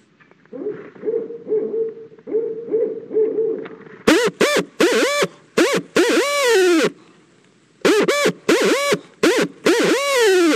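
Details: Female owl calling to her mate at the nest as an egg hatches, 2-5-13, mid-afternoon; a run of soft, evenly spaced mid-pitched notes, then loud, harsh, drawn-out screeching calls given in quick bursts with short pauses.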